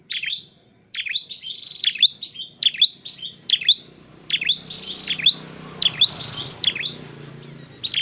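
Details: Rapid high chirps from a dark-necked tailorbird recorded during training and trapping, repeated nearly every second in a steady rhythm, with a thin high whine behind.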